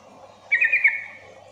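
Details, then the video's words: Sooty-headed bulbul phrase used to stir quiet bulbuls into answering: four quick warbled notes in a tight half-second burst, trailing into a softer fading tone, light low hum in the background. "pancingan agar trucukan bahan cepat gacor bunyi Sahut sahutan"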